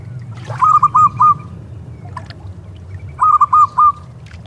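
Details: Local zebra dove by the sea, two phrases of three to four rolling, trilled coos about two and a half seconds apart, with a constant low rumble of surf and occasional clicks.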